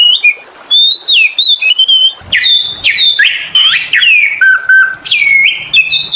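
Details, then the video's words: Oriental magpie-robin (kacer) lure song of clear whistled notes, wavering slurs, buzzy downward sweeps and strong rising whistles delivered in short varied phrases. "PANCINGAN SUARA BURUNG KACER GACOR SUARA NGEMPLONG PARAH"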